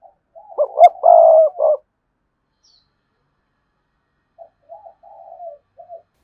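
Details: Spotted dove luring wild rival males to fight: one loud coo phrase, short notes then a long trembling coo and a closing note, followed after a pause by soft, low murmured coos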